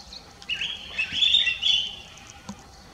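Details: At Lugu in December 2022, a collared finchbill utters a sustained, warbling chattering phrase lasting over a second, with slurred rising and falling notes, followed by a single faint click.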